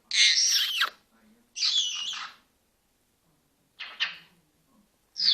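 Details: Pet Senegal parrot producing a series of four harsh, raspy squawks, the first two long and drawn out, the next short and clipped, spaced one to two seconds apart, in a quiet indoor setting.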